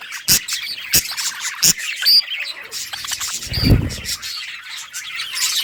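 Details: A colony of colourful budgies playing and chirping, recorded August 25, 2023; busy high warbling chatter from several birds, broken by sharp knocks and a low thump near the middle.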